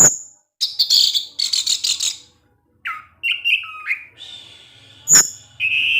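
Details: Caged orange-headed thrush in lively song: sharp high chips, buzzy rattling bursts, then short whistled phrases rising and falling, with a loud chip near the end and steady high notes closing.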